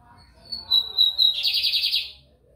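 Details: Lined seedeater (bigodinho) singing in São Luís, Maranhão, Brazil: a few high clear whistled notes, then a steady high whistle that breaks into a fast buzzy rattling trill lasting about half a second, then fades out.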